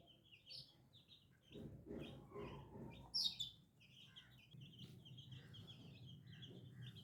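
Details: New little chicken chicks peeping: high, short chirps repeated in loose runs, with one sharper, louder peep near the middle, over a low rumbling background.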